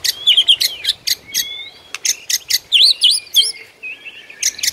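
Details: White-rumped shama singing in the morning, rich fill-in song: rapid high ticking notes mixed with twisting whistles, a lively chattering passage, then more high ticks.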